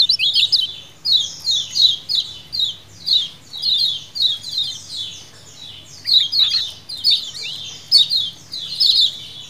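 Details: Lemon-bellied white-eye colony calling as a wild-style lure: many short, high, descending chirp bursts in a lively overlapping series, with a denser twittering flurry in the second half.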